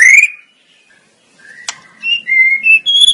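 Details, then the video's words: White-rumped shama from a masteran training recording: sparse, clear whistled notes at varied pitches, separated by quiet gaps, with a single sharp click partway through. "Suara Burung Murai Batu"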